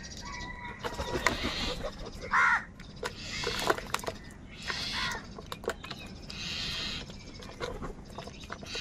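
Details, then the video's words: A crow gives three or four harsh, nasal caws spaced over several seconds, amid crows fighting for food, over a constant noisy background of distant voices and bustle. "Clear crystal Crow bird Crowing sounds | কাকের ডাক Crow Sound"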